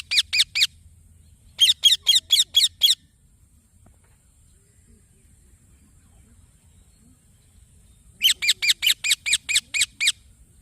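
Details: Green baby parrot producing rapid series of rasping chirps, three notes, then six, a long quiet stretch, and a closing run of about eight harsh calls.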